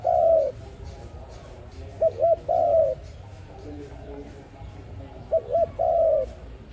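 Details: Low mellow cooing from an ARIMIX dove used for trapping: a long hoot, then paired short arched notes followed by a drawn-out coo, the pattern repeating once more over a soft background hum.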